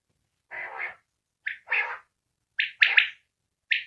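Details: Single common quail calling outside a cage, recorded in 2020: rough, broad bursts followed by quick high, clipped notes, three in a tight run near the end, with short silences between.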